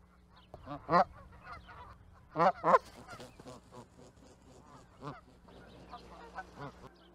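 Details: Canada goose honking: loud, harsh nasal honks in irregular bursts, several in quick succession, with softer honks between them over a low steady hum.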